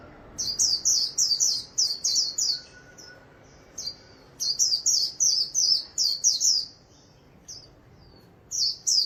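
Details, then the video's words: Ornamental white-eye, a kept songbird performing 'líu' song: bursts of high, rapidly repeated downslurred chirps, about three per second, broken by brief thin whistles and short gaps; background otherwise quiet. "The ringed bird sings beautifully! Chim vành khuyên líu hay"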